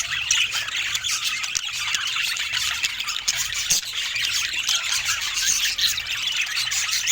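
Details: Budgerigars of rare colour mutations fill the air with squealing, squawking chatter, an even stream of shrill overlapping notes from many birds, with occasional sharper squeaks standing out.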